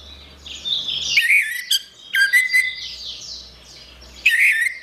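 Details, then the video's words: Orange-headed thrush in gacor song: strident, buzzy phrases and clear whistles in separate bursts, with faint high chattering filling the gaps. "Suara Burung Anis Merah | Gacor"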